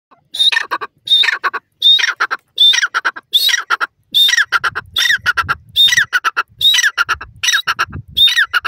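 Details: Wild yellow francolin, locally called teetar, giving loud harsh calls repeated about ten times in nine seconds. Each call opens with a short high whistled note and runs into a buzzy, rasping squawk, with brief silent gaps between calls.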